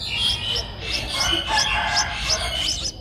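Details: Streak-eared Bulbul nestling, 11 days old, at Ubon Ratchathani, Thailand, 13 April 2023; high thin chirps repeated rapidly, roughly three per second, over a soft background hum.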